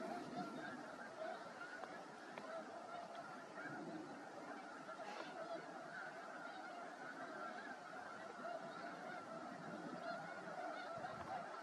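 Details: Large flock of migrating snow geese resting on a mostly frozen lake at Freeze Out Lake, Montana, on a sunny March day: a dense, continuous chorus of overlapping nasal honks with no pause.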